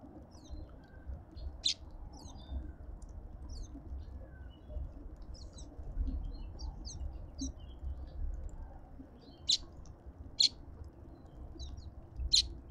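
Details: Cut-throat finches feeding in a Pretoria garden in South Africa: scattered soft, thin chirps, then three sharp, louder clicks near the end, over a quiet low hum.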